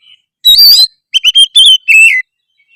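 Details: Short burst of oriental magpie-robin song delivered in the energetic gacor style: a rich warbled note, then several clipped whistled phrases and a falling whistle, with brief silences between.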